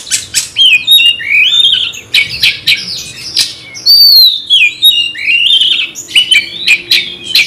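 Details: Caged Oriental magpie-robin (kacer), raging as it is provoked to fight a rival, pours out loud, varied whistled phrases with sliding notes and harsh rasping bursts, broken by brief pauses.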